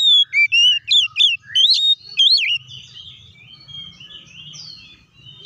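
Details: Oriental magpie-robin song meant to provoke rivals into singing: a quick run of loud, looping whistled notes, followed by softer, quieter warbling.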